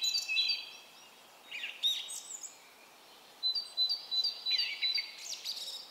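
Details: Spruce-top song thrush in spring, recorded 13 May 2016 at a summer place. Short bursts of bright, high whistled notes and sharp repeated chirps, separated by brief gaps. Other songbirds may be heard, including wood warbler, redwing, pied flycatcher, great tit and chaffinch.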